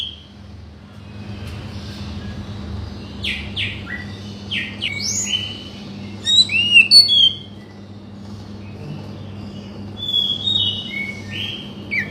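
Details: Oriental magpie-robin song meant to coax a bird that has stopped singing: scattered short whistled and buzzy phrases with pauses, a louder varied burst midway, over a constant low electrical hum.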